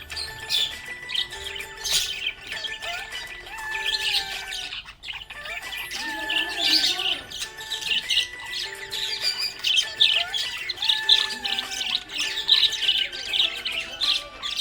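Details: A happy pet budgerigar chirps and chatters in quick, bright bursts over a backing of music.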